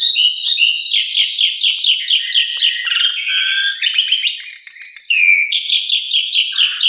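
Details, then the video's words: Javan pied starling song used as a morning lure to get silent or stressed birds singing: a fast, continuous medley of chattering notes, rasping trills and bright whistles, with shifting pitch and no pauses. "Putar Tiap Pagi Pancingan Luar Biasa - Semua Jalak Suren Macet Pundung Atau Stres Langsung Gacor"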